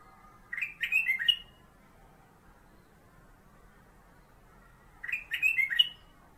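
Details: Black-capped bulbul (kutilang emas) kept as a master songbird for magpie-robins, repeating its short song. Two identical phrases about four and a half seconds apart, each with four or five rapid whistled, slurred notes, with silence between.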